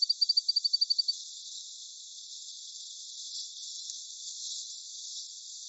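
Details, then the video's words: Indian bush lark (Mirafra erythroptera), a South Asian lark, calls with a quick, even run of about a dozen thin, high ticking notes in just over a second, then soft background hiss. "Indian Bushlark Call"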